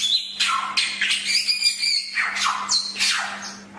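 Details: Chinese hwamei from a bird-training recording: harsh, grating squawks alternating with thin high whistles and short downward slurs in fast succession, a faint electrical hum beneath.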